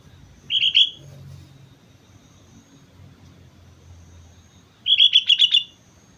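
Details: Sooty-headed bulbul, known locally as kutilang, singing energetically on Mount Slamet. A short burst of three bright chirpy notes is followed by a pause of about four seconds, then a quick run of six similar notes. A faint low rumble sits underneath.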